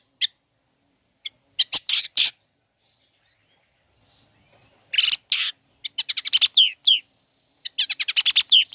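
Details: Long-tailed shrike song used to provoke other shrikes: scattered harsh rasps and clicks, then rapid chattering runs mixing buzzy bursts with short whistled slurred notes.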